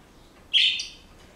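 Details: Household Senegal parrot giving a single short, bright, high whistled squeal that fades quickly, in a quiet indoor room.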